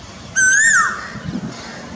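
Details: Asian koel perched in a pilkan tree in front of a house in Delhi, giving a single loud, clear whistled note that rises and then drops sharply, over faint background hum.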